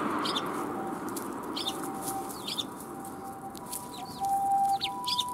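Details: At a Tenmangu shrine on 1 January 2021, sparrows arrive to be fed, giving brief high chirps about once a second. A thin steady hum runs underneath, with a louder rustle near the end.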